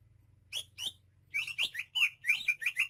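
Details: Native Banyuwangi greater green leafbird in full song: two separate downslurred whistles, then a dense, tumbling series of bright chirping and warbling notes, with a faint low hum beneath.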